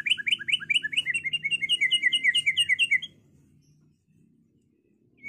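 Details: White-rumped shama song meant to goad other birds into fighting and singing: quick run of about twenty identical upslurred chirps, repeated steadily for three seconds, then silence, over a low background hum.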